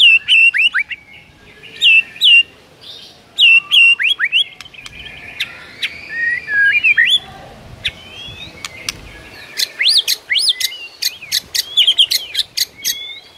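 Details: Morning song of a white-rumped shama with rich mimicry fill: short clustered whistled phrases, a quieter buzzy passage, then a lively run of sharp chips and looping whistles.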